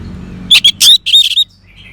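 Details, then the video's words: A brief, loud phrase from an orange-headed thrush: a few sharp, high squeaky notes and a short chattering run, then quiet. "Terap1 Suara ANIS MERAH Macet Bunyi Agar Mau Kenceng Dengar Kicauan Ini."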